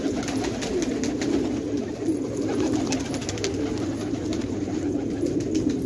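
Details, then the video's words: Low, continuous cooing from many fighter pigeons in a Khanabad village, Afghanistan, with light clicking taps scattered across the recording. "کفتر های جنگی پرشی در خانه آباد"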